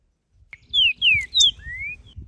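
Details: Creamy-bellied thrush singing in nature: a loud phrase of three clear descending whistled notes, then a long rising whistle, with faint low rumbling background.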